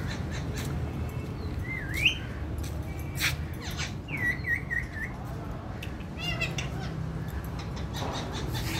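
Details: Pet talking Indian ringneck parrot in conversation with its owner at home, giving several wavering whistled notes, one rising then falling, others looping in quick succession, among sharp clicks and low room hum.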